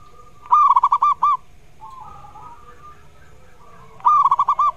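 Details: A zebra dove used as a lure to prompt reluctant doves to sing delivers two loud bursts of ringing, pulsed coos, with a softer wavering note between them.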